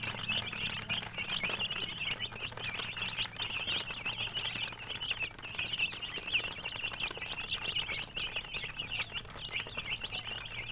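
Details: Chorus of baby chicks peeping continuously, many high thin chirps overlapping, with scattered clicks and rustling and a faint low hum beneath.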